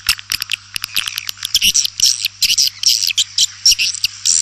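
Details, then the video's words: Swiftlet calls: rapid, irregular bursts of high, dry, clicking chirps that crowd together with short gaps, over a faint steady low hum. "Suara Burung Walet"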